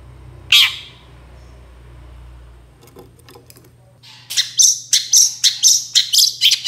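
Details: Long-tailed shrike lure sound to make other shrikes answer: one harsh squawk, a quiet pause with faint rumble and clicks, then a rapid run of about ten short chattering notes in quick succession.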